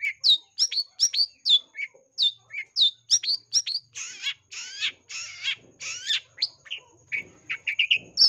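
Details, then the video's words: Long-tailed shrike in a lively, fighting mood giving a lure song full of varied phrases. Quick rising chirps and whistled notes are broken by a run of harsh, raspy bursts midway, then more fast chirping. "Suara pikat Cendet"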